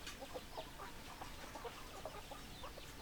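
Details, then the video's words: Chickens, hens clucking in a flock: faint, short, soft clucks scattered irregularly through the clip over a steady background hiss. "Chicken Sounds Noises Hens Clucking Roosters Crowing"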